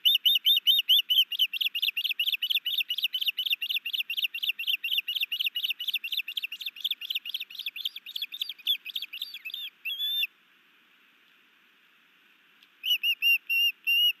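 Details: New male osprey at a nest in Hellgate Canyon, Missoula, Montana, on 11 May 2019, sky dancing and bringing a fish to its mate: rapid, steady series of high, thin whistled chirps, about two per second, pausing briefly, then resuming.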